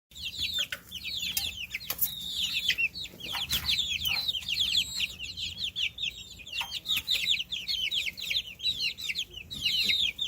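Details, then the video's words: A group of baby chickens chirping, giving dense, continuous high-pitched peeps with quick downward sweeps, many overlapping, over faint low background noise and a few clicks. "Baby Chicks Chirping Sound"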